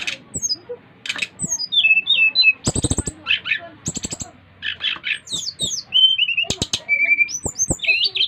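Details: Energetic Bali brown-chested jungle flycatcher whose song encourages other birds to sing; dense chattering mix of chips, trills and short slurred whistles with occasional clicks.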